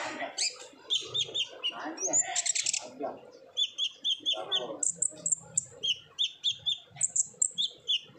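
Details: Ngobra-style song of an olive-backed sunbird, a lure for silent birds: a rushed, harsh chattering start, then evenly spaced high, thin chirps and short whistles running in quick series.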